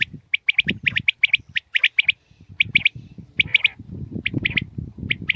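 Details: Common quail recorded in the morning: sharp three-note phrases, quick and clipped, repeated in close series with brief pauses, with low rumbling background noise underneath.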